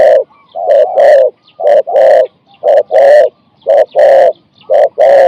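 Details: Zebra dove song at a cooing competition in Thailand: loud, rhythmic rolling coos in evenly spaced bursts about once a second, with no other sounds.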